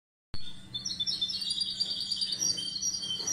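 A goldfinch hybrid breaks into song: a rapid, tinkling stream of high twitters and trills, delivered continuously over a faint low hum.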